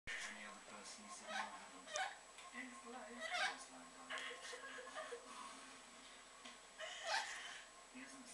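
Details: Orange-winged amazon parrot kept as a pet, having a little rant: a run of harsh, speech-like squawks and mumbled chatter in bursts, with a low steady hum underneath indoors.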